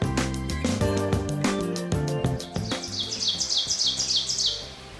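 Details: A male Ovenbird singing from a paper birch in Michigan forest in summer gives a rapid series of sharp, high two-note phrases swelling louder over about a second and a half, following a stretch of music.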